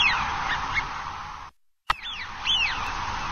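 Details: Eurasian wigeon at Dabeng Bay in winter, 26 November 2018: faint distant whistles, then a short silent gap, followed by a clearer drawn-out rising and falling whistle, with background hiss throughout.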